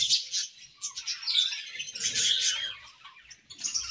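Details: Budgie pair in an aviary at morning, giving continuous high, scratchy chattering and twittering with a few thin whistled notes mixed in.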